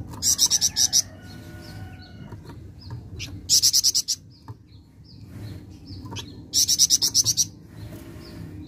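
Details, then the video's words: Three bright, machine-gun-like rattles from a flameback, each of six to eight high notes, spaced about three seconds apart, over soft background chirping. "Sekali Putar Bahan Flamboyan Langsung Nyaut"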